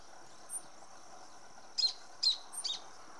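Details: A young Greyish Saltator feeding on Ipomoea amnicola flowers in Santa Fe, Argentina, on 29 March 2024, gives three short, sharp high chips about half a second apart after one fainter thin note, over steady hiss.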